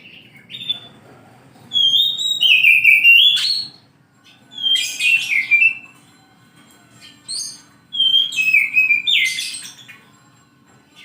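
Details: Oriental magpie-robin, known as kacer, singing in the morning: three separate bursts of whistled, sliding phrases, each ending in a sharp scratchy flourish, separated by a few seconds of silence.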